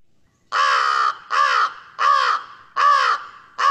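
An American Crow gives loud, harsh, slightly downslurred caws, about one every 0.8 seconds, five in a row.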